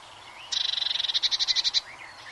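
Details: Eurasian blue tit producing a loud, high, ringing trill of roughly twenty quick notes over about a second, the final notes louder and more spaced, with a soft whistle afterward.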